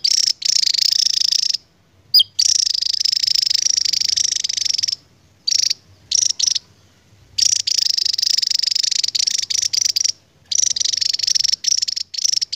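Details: Javan tesia, a Javan endemic, singing its long ngebren: a very high, buzzy, nearly continuous trill that runs for seconds, broken only by a few brief gaps. Nothing else is heard.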